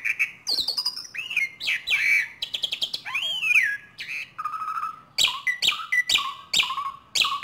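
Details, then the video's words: Young Asian pied starling practising its calls: a varied jumble of whistles, looping warbled notes and harsh chirps, then a run of repeated downward-sweeping notes, loud and close. "Jalak Suren Belajar Bunyi."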